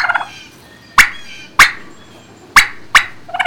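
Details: Barn turkeys on a March 2019 midday recording give four loud, abrupt, harsh calls spaced roughly half a second to a second apart, with softer chatter at the start and end.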